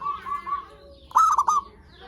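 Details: Zebra dove lure song for calling and stimulating other zebra doves: one short, sharp, broken cooing phrase of three quick notes, following softer drawn-out calls from other birds.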